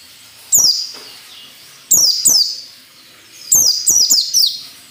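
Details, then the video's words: Ngalas nembak song of a white-eye, played to train caged birds: high piercing whistles falling in pitch, first a single phrase, then a pair, then a rapid cluster of three. "SUARA PELECI NGALAS NEMBAK SERTANDAR UNTUK MELATIH PELECI AGAR CEPAT NAGALAS NEMBAK"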